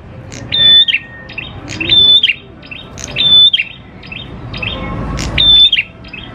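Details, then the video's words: Grey prinia (prenjak klawu), a steadily singing bird, in a lure recording meant to prompt other prinias to sing: four sharp phrases, each a high, flat whistle ending in a quick downward flick, about every 1.5 seconds over faint low rumble. "PANCINGAN PRENJAK KLAWU GACOR, NGALUN BIKIN PRENJAK CEPAT BUNYI"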